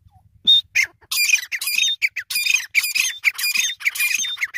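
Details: Grey francolin, known locally as Irani teetar, calling; a recording of the kind used for hunting. Harsh, squawking high notes come in rapid, dense bursts, almost continuous after the first second, with a faint low hum at the start.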